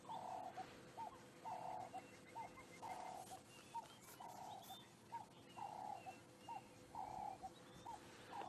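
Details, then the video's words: On a warm morning with a gentle breeze after overnight rain, a turtle dove coos in the distance, soft mid-pitched notes in a steady rhythm about once a second, with faint high chirps from other birds behind. "Can hear the turtle dove now calling in the distance."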